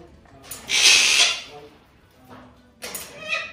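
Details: Eighteen-month-old African grey parrot, a talking bird in Melbourne, Australia, gives a loud, harsh, hissing squawk under a second, then brief voice-like chatter with whistled overtones; no other sounds intrude.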